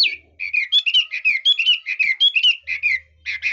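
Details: Red-whiskered bulbul in fine song with varied phrasing: a brisk chain of bright, slightly buzzy whistled notes, rising then falling, roughly three per second.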